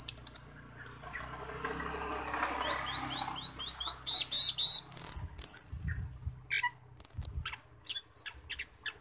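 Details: Black-winged myna (Acridotheres melanopterus), song.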